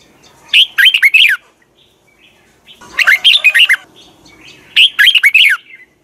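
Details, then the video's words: Morning training song of a red-whiskered bulbul with a double twisted voice: three lively, clipped warbled phrases of five or six looping notes each, delivered about every two seconds over faint low background hum. "Luyện chào mào hót sáng 2020, Giọng kép xoắn 6789 Quá hay hót căng lửa, luyện chào mào hót"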